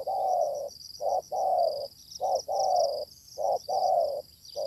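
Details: Wild spotted dove, described as fierce, encountered during decoy luring; loud low coos repeat steadily, a brief note followed by a long one, roughly once a second, against a constant high-pitched insect drone.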